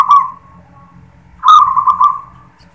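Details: Zebra dove of a local strain giving its "klar ketek kuk" song, beginning with "klar": a short purring coo, a gap, then a longer trilled, rolling phrase that fades away; low background hum.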